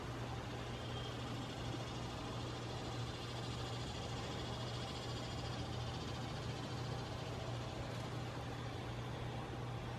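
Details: Steady low mechanical hum with a constant drone and broadband hiss throughout, like a fan or engine running indoors, with no animal calls heard.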